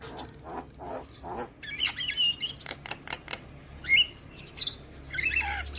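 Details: Javan myna tutor song for young birds: soft dry clicks lead into scratchy squawks, sharp whistled squeaks and rasping chatter, with a low hum underneath.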